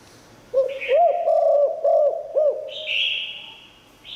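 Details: Spotted dove singing 'Liu Tan' style song, a strong voice said to bring wild doves in to respond. A phrase of four low, looping coos runs close together, with a higher buzzy drawn-out sound before and after.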